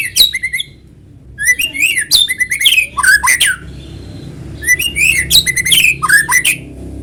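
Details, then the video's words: Lively white-rumped shama song, used as a lure so shamas join in: dense, fast phrases of swooping whistles, clicks and chips repeated in bursts with short gaps, a low background hum beneath. "PANCINGAN BURUNG MURAI GACOR SUARA ALAMI BIKIN MURAI BATU IKUT BUNYI."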